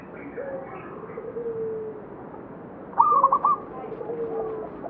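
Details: Local perkutut, a zebra dove, at Candi Rimbi in Jombang. One quick burst of rippling, trilled cooing stands out midway. Long, low, steady tones and a broad background hiss fill the rest.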